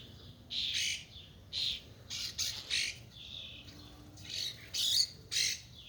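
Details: Female cowbird fighting off starlings at a suet feeder: harsh, scratchy squawks in short bursts, about one or two each second, loud and high, with no other clear sounds behind them.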